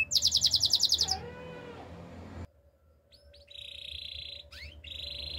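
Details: Spanish Timbrado canary song used for training: a fast burst of about ten bright, evenly repeated notes, a pause, then long buzzy rolling trills broken by quick sweeping slurs, over a faint steady hum.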